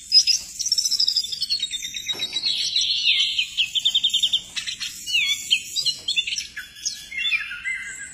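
An Oriental magpie-robin sings a loud, varied run of sweet whistles, rapid trills and sharp chirps.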